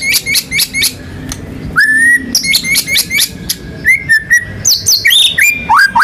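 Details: Singing white-rumped shama (murai batu), a national contest winner, delivering loud varied isian phrases with rolling and shooting notes to provoke other birds: bright chirps, rising whistles and sharp trills in tight bursts.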